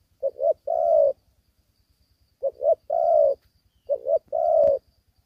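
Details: Young caged spotted dove not yet fully collared, fighting hard like an old bird in Vietnam; three phrases of a quick double coo then one long drawn-out coo, separated by pauses, with a low background hum.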